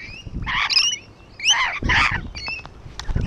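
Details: Rainbow lorikeets perched on a wall give harsh, buzzy screeches in short bursts, each a rough, ragged squawk with bright overtones, with brief gaps of quiet between them and low background rumble.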